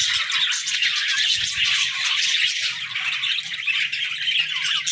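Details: Morning chirping of pet budgies, an unbroken, busy mix of high twittering, scratchy warbles and squawks at an even level.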